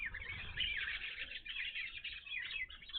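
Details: Evening grosbeaks at a bird feeder, a first sighting at this spot: a continuous chatter of overlapping chirps and short warbled calls, thick and busy throughout, with low rumbling background noise.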